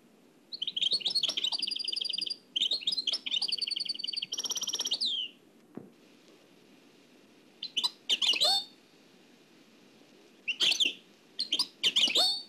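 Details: Trained nightingale performing Oued El Alleug style song, recorded from an old cassette: three loud bursts of fast trilled notes in the first five seconds, silence with tape hiss, then scattered short harsh chirps.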